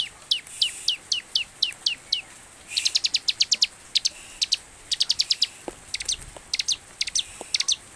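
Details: Bar-winged prinia, used as a lure call to make captive birds start singing, singing high, thin notes: first a quick run of down-slurred chips about four per second, then bursts of sharper, buzzier clustered notes.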